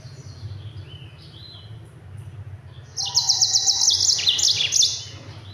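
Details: Yellow-fronted canary, known locally as mozambik, singing a fast, dense training song for other birds: after quiet, a burst of rapid high buzzy trills and chirps for about two seconds, over a low steady hum.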